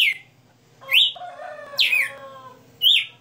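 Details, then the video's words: Red-cowled cardinal singing in captivity: clear slurred whistled notes roughly a second apart, with a lower sustained tonal sound in between. "Galo de Campina 60 NOTAS Cantando Ao vivo"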